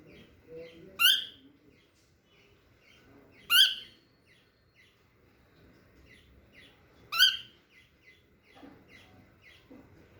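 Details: A small young cockatiel walking for the first time, giving loud harsh rising squawks about every three seconds, with soft chirps and faint clicks in between indoors.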